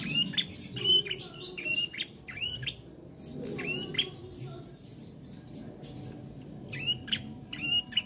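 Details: A young bar-winged prinia learning to sing gives sharp, high chirps with quick downward strokes. They repeat unevenly about once a second in short bursts, over a low background hum.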